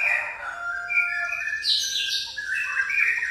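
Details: Pastol-type white-rumped shama, song tutored with fighting-sparrow sounds: sustained clear whistles overlapping with buzzy chirping sparrow-like phrases, loud and unbroken throughout.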